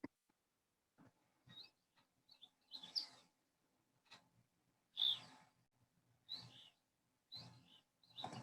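Couch's Kingbird giving sharp, high, slightly buzzy kip notes in short bursts, spaced about a second apart, with faint low rumbling between them.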